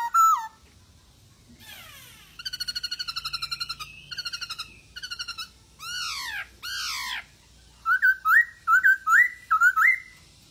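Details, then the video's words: Masked laughingthrush in vigorous song meant to get lazy birds singing: a falling whistle, buzzy pulsed rattles, two loud arched squawks, then a rhythmic run of rising whistled notes. "POKSAY HONGKONG Anda Malas Bunyi,Pancing Dengan POKSAY HONGKONG Gacor ini 75% Pasti Nyaut"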